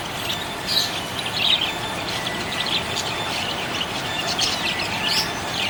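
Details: Chirping of a happy budgie: irregular bright chirps and short twitters sound repeatedly at a high pitch, with a constant noisy hiss underneath.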